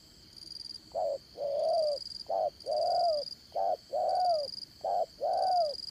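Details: Trapping-decoy spotted dove with a Đồng Son style voice, dán cổ trapping: four repeated two-note coo phrases, the second note longer and sliding down at its end, with a persistent high whine.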